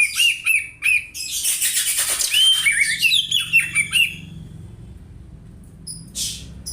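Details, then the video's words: An oriental magpie-robin imitating a house sparrow for tutoring gives rapid, rough chirps and squawky notes for about four seconds, then falls quiet apart from a brief faint sound. "Kacer nembak burung gereja , cocok bwat masteran"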